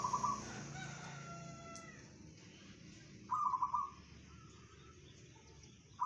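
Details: Bedah karang song of a local zebra dove: quick stuttering trilled coo phrases recurring about every three seconds, with a faint drawn-out tonal sound early on and a steady low hum behind.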